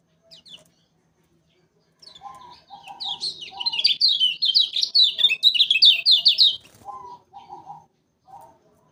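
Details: Lombok yellow kecial, lemon-bellied white-eye, lure song for trapping: a lower hoarse note series, then a loud three-second torrent of rapid, high zigzag twittering, followed by more of the lower notes.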